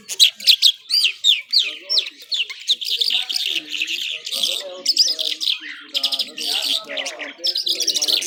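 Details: Irani Mashadi skylark (jhal) in powerful nonstop song: rapid sharp chirps and slurred whistles, first in quick separate bursts, then merging into a thick, scratchy warbling run.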